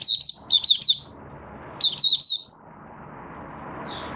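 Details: Caged Malaysian Mata Puteh (Oriental white-eye), not in form, 'buka sing' song on 1 August 2023: two clusters of bright, rapid high chirps followed by a lone faint note, over a soft rising background hiss.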